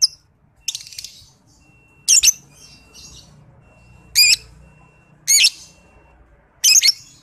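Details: Lovebird recording made to train other lovebirds: short, harsh, high-pitched chattering bursts repeated about every second, with a faint steady high tone between bursts and quiet background.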